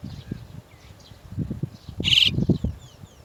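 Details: Chestnut-tailed starling, mother birds fetching their chicks from the nest; a single loud, grating, rasping note amid faint high twittering and low knocking and rustling noises.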